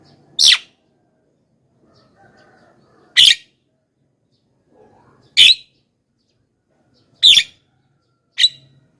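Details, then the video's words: Javan myna call meant to attract wild mynas: five short, harsh, noisy squawks spaced two to three seconds apart, with faint low murmuring between them. "suara BURUNG JALAK KEBO,gacor menggelegar,semua jalak kebo auto nyahut"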